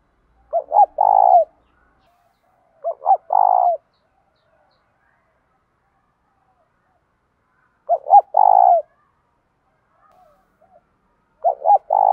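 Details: Repeated spotted dove coos for training wild-caught birds: four phrases over twelve seconds at uneven gaps, each two short hoots and a drawn-out rolling coo, with quiet stretches between.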